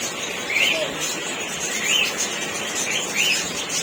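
Lovebird giving three shrill, rising-then-falling chirps, about one every 1.3 seconds, over a steady background hiss.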